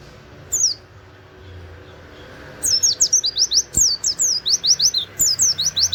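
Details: An Oriental white-eye gives one short high whistle, pauses, then bursts into a fast 'wit wit' master song. The thin, descending notes repeat about every half second and are canary-like, over a quiet low hum.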